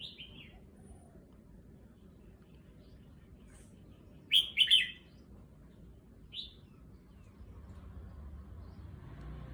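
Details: Red-whiskered bulbul in a cage at a new location, still adjusting to it, mostly quiet, then a brief clear burst of sharp whistled notes midway and a lone chirp after. Low steady ambient noise throughout.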